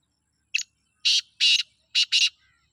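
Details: Black francolin calling in Sindh forest: a short sharp note followed by four loud harsh rasping bursts in two pairs, in otherwise quiet surroundings.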